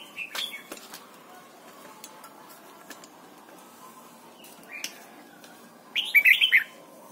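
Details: Red-whiskered bulbul in Thailand, song used for training young birds, giving short, bright warbled phrases: a brief note early, a rising fragment near five seconds, then a lively burst of rolling whistles at the end.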